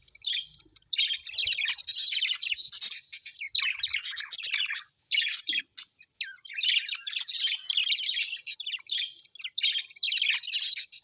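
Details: Happy budgies chirping as pets: a steady, crowded stream of buzzy warbles and clicks after a quiet start, with a short lull midway and clear high tweets.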